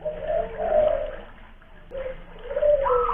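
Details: Local spotted dove from Kuningan, West Java, kept as a loud-voiced lure bird; soft mid-pitched coo notes, a pause, then a second short phrase of arched coos, with light room hiss.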